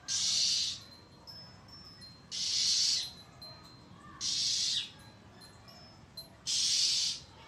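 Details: Oriental magpie-robin threatening, recorded 1 April 2023, calling loudly for a long time: harsh rasping hisses, each under a second, repeated about every two seconds, with faint thin whistles between them.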